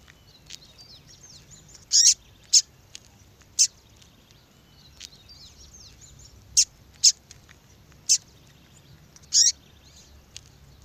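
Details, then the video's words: Female double-collared seedeater calling persistently to draw males: sharp, high-pitched chip notes in loose pairs and singles, about nine over eleven seconds, with softer faint chirps between them and a low background hiss. "fêmea de papa capim chamando"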